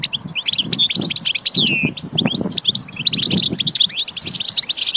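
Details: Caged goldfinch singing in a training recording, quick liquid twitters and slurred whistles with a downward-sweeping note, steady chatter, soft low background rumbles.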